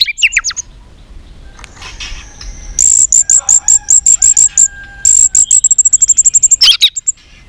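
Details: White-rumped shama in contest training, fired up, tail flicking and singing many voices: a few opening slurs, then very high, thin notes repeated rapidly in quick bursts, ending with a swooping whistle.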